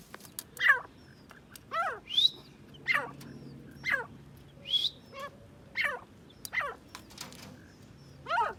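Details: Grey francolin giving harsh, strained call notes roughly once a second. A steady low hum and background noise sit under the calls.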